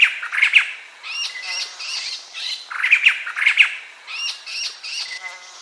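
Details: White-crested laughingthrush giving loud harsh laughing squawks in bursts, each burst of rough cackling notes followed by a few clearer whistled phrases, repeating roughly every two to three seconds; no other sounds stand out.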